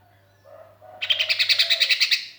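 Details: Sooty-headed bulbul, a lonely bird calling to its companions, a recording meant as a lure: faint low notes, then a fast run of about eleven bright, evenly spaced chattering pulses over roughly one second.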